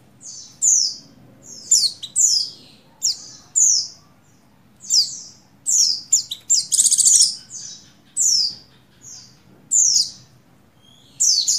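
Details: Breeding female Oriental white-eye, buxtoni, summoning a male: a long series of shrill, descending chirps, often doubled, at irregular intervals of about one second. Midway comes a brief rasping buzzy note, with a faint hum underneath.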